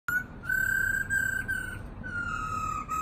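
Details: Caged black-throated laughingthrush singing: a long, pure, steady whistled note held for over a second, then repeated after a short gap, slightly falling at the end, in a small indoor space.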